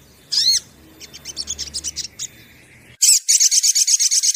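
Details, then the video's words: Sunbird song played as a lure to draw birds into singing: a high, thin arched note, then a quick run of sharp bright chips, and after an abrupt cut a fast, evenly pulsed high trill. A low hum lies under the first part. "PANCINGAN SOGON"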